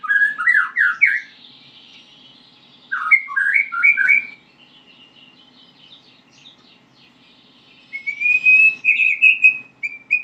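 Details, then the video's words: White-rumped shama learning to sing: three bursts of rich, slurred whistled phrases with quick up-and-down notes, separated by pauses of a few seconds, ending in a sustained warbling trill; faint steady high tone and low hum behind. "murai batu belajar bunyi"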